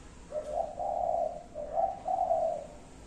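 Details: Spotted dove with five-note cooing, a quick run of low, husky coos in two linked phrases, each rising slightly then settling into a longer mellow note.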